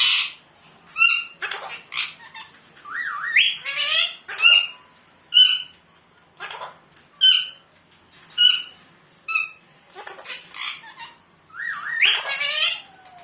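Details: Pet parrot mimicking the word "mummu", giving clipped, nasal, speech-like syllables mixed with raspy squawks and rising whistled glides, phrases spaced about a second apart in a quiet room.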